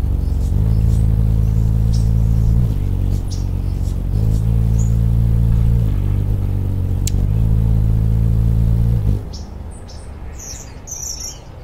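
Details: Anna's hummingbird in suburban Portland, Oregon, in December 2010: wingbeats give a steady, low, buzzy hum alternating between about 50 and 60 hertz in bursts of about two seconds. The hum cuts out near the end, leaving faint high chirps and background noise.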